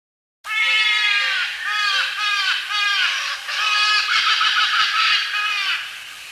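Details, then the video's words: Trumpeter hornbill giving nasal, wailing calls like a crying baby: a few short falling notes merging into a continuous harsh braying wail. "Trumpeter hornbill"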